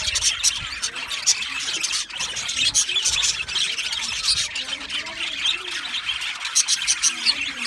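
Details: Male budgerigars chirping in their aviary colony on 8 December 2025, an unbroken, busy chatter of shrill squawks, tweets and warbling notes from many birds at once.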